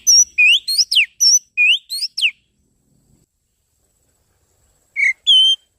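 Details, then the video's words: Oriental magpie-robin lure song used to attract birds: quick run of clear whistles, mixing rising slurs and sharp downsweeps, followed by silence and two final sustained whistled notes. "Suara pikat burung kacer paling ampuh"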